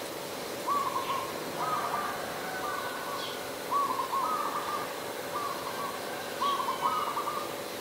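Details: Zebra dove, an adult recorded in Ubon Ratchathani, Thailand, late December 2020: repeated staccato trilled coos, pairs of short rattling notes strung into phrases several times, with a faint steady hum underneath.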